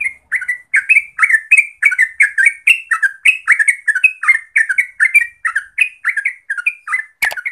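Yellow-vented bulbul pouring out bubbly, slurred chirps, about three a second, in a lively chatter; a sharp click sounds near the end.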